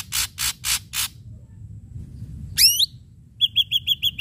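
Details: Ashy drongo sharp-strike lure: four harsh broadband snaps, a pause, a rising forked whistle, then a quick series of six short clipped notes.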